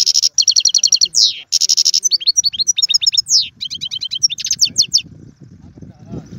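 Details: European goldfinch, caged, described as Algerian, singing tiouatie, galoubi and serfati styles: rapid buzzy trills and repeated chattering notes with falling slurs, then quieter with low background rumble toward the end.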